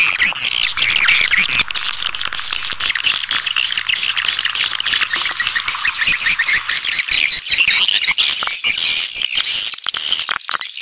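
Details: Calling sound to attract swiftlets: a loud, continuous high twittering of many overlapping shrill chirps, busy and unbroken, with a faint low hum underneath at first.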